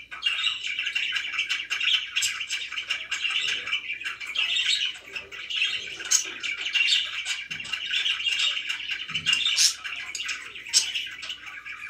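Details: Captive budgerigars keep up a steady, lively twitter of rasping and squeaky notes, punctuated by occasional louder piercing peeps and a couple of soft low knocks in the background.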